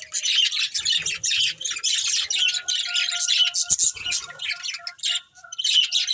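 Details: Two breeding budgerigars chatter nonstop, raspy warbled chirps and short squawks layered over a thin steady whistle-like tone.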